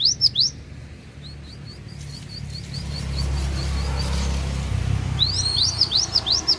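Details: Cinereous tit from Takengon, Central Aceh, singing. Sharp high chirps open and close the clip, with a soft run of quick, evenly spaced short notes between them and a low background rumble.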